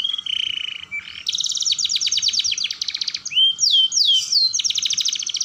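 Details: Lure song of a canary for young birds learning to roll: a steady whistled note, then a long fast rolling trill, a few loud swooping slurs, and another rapid roll.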